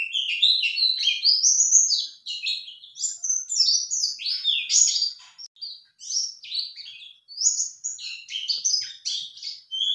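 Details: A high, rapid, jumbled warble from a male white-eye responding to a lure call, sung for the full ten seconds with many quick chirps and twitters and only brief breaks.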